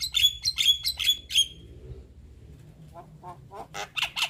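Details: Young Javan myna giving five quick, harsh bursts with bright whistled tops, a pause with a faint low hum, then softer clicks building into more loud rasps.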